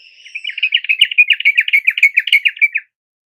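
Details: Yellow-vented bulbul, a lure sound for a caged bird that has stopped singing: a rapid run of about fifteen harsh, buzzy notes at a steady mid pitch for nearly three seconds, ending abruptly into silence.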